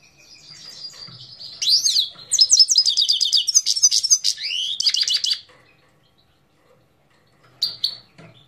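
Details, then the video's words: Singing Himalayan goldfinch, Parachinar, 2022: a long, fast twittering phrase of liquid trills and rising slurs lasting about four seconds, followed by silence and a short final note. "Parachinar Himalayan Goldfinch Singing 2022"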